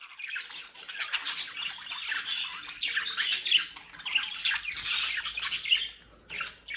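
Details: Budgerigars from a private breeding in the Netherlands' Den Haag region warble steadily in a thick chorus, with bright chirps and trills standing out. A brief quieter gap comes near the end.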